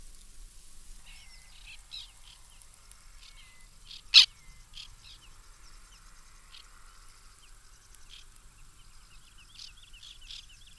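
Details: Several white-winged terns call from a nesting colony in the 2021 breeding season, giving scattered short harsh notes. One loud rasp comes near the middle, and thin steady whistles from another bird run underneath.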